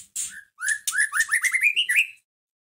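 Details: Caged white-rumped shama song used to stir up another shama: a short harsh note, then a quick ascending staircase of slurred whistled notes lasting about one and a half seconds.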